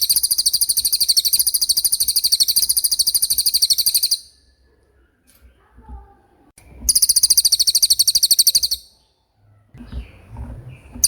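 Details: Common iora 'roll speed' song for tutoring songbirds: a four-second burst of rapid high trilled notes, a near-silent gap with faint rustles, then a second two-second trill, followed by low background noise.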